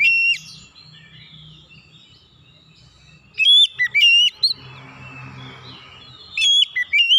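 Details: Oriental magpie-robin lure song, used to prompt other birds to sing: after a quiet start, two bursts of loud, clear whistled notes with sharp upward flicks, each burst a few notes long, over a faint low hum.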